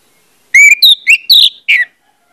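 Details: Orange-headed thrush song used as a trigger to get other birds singing quickly: loud, clear whistled phrases, some rising and some falling, delivered in five quick bursts over about a second and a half, against a silent background.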